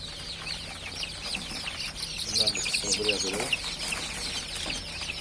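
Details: Newly hatched chicks, just starting to emerge, peeping together in a dense chorus of thin, high cheeps overlapping continuously, with a person talking softly in the middle.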